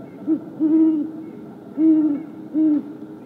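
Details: Deep hooting exchange between two wild great horned owls in the woods on January 28, 2022: a brief hoot leading into a long one, then two further low hoots after a gap, with soft steady background noise.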